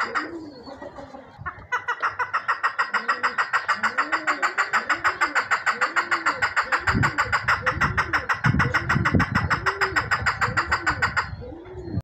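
A male chukar gives a long, steady run of harsh clucking notes, about three a second, over low, hollow rising-and-falling sounds and a faint engine-like hum.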